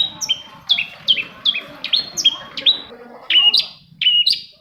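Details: Long-tailed shrike song, used as a lure to get silent shrikes singing: a run of clear whistled notes, each a high note dropping to a lower steady tone, repeated about once a second with a soft background murmur.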